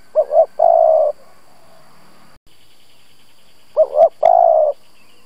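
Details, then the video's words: Lure spotted dove calling to provoke other doves: two cooing phrases, each a quick pair of notes then a long held coo, separated by a pause with a faint click. "Cu gáy mồi Gù siết bổi nhập tàn, chim cu gáy kích bổi nhanh nổi"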